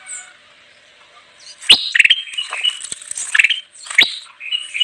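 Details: Kutilang emas bulbul in lively song for luring wild birds: a burst of sharp chirps and short whistled notes with several loud accents, mixed with softer high twitters in the background.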